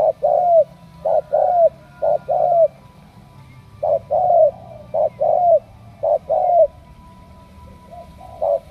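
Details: Spotted dove from Ca Mau, a selected strong-cooing 'đồng' bird, delivering quick runs of two or three short low notes ending in a slurred coo, with a quiet pause mid-clip and a soft hum behind.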